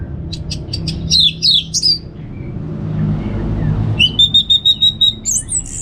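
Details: Orange-headed thrush singing relaxed ngeplong phrases to prompt kept birds to sing: a burst of chattering high notes, a pause with low hum, then a fast even series of about ten clipped whistled notes.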